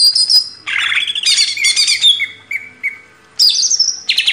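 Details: Cage-bird training recording of a greater green leafbird: high whistles and fast trills mixed with repeated clear notes, a short lull, then renewed loud, sweeping whistled phrases.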